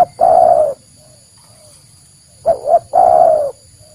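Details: Spotted dove played as a lure for trapping or hunting wild birds: loud low coos, a short double note followed by a long falling coo, repeating, with a steady high electronic whine throughout.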